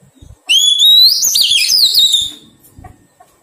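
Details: Bright rising whistle sliding upward, then a burst of jumpy, twisting warbles lasting about two seconds, sung by a wild-caught Oriental magpie-robin during taming; soft knocks before and after.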